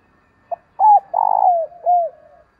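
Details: A spotted dove, in the 'thổ sấm' voice style used for luring wild doves, gives one phrase: a short note, an arched coo, a long throbbing coo that glides downward, then a soft arched coo trailing off.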